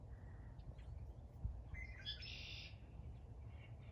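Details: A male Red-winged Blackbird in an April wetland with cattails calls to females to invite them to nest, giving a brief rough opening note and a buzzy, trilled flourish, over steady low wind rumble.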